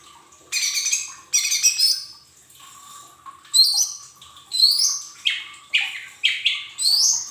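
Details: Lesser green leafbird song played as a lure so untrained cage birds start singing quickly: bright, slurred phrases of rising and falling whistles and chattering notes, in bursts separated by short pauses, over a steady faint hum.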